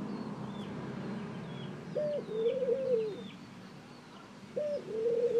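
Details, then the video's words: Two coo phrases from a ring-necked dove, each a clipped high note then a longer wavering coo, separated by a pause, while small birds chirp faintly behind. "Ring neck Dove Calling"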